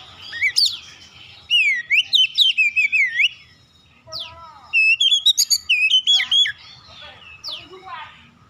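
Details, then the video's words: Magpie-robin lure song meant to draw other magpie-robins into answering: bright whistled notes sweeping up and down, fast repeated chips in two bursts separated by a brief pause, plus a few scattered high notes. "DALAM HITUNGAN DETIK KACER LAIN LANGSUNG RESPON GACOR SEKALI PANCING"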